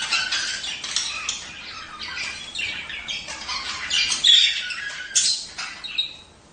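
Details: Budgerigar breeding chatter used to encourage pairs to mate and lay eggs: a continuous scratchy, buzzing warble with rapid chirps, swelling into louder squawks toward the end.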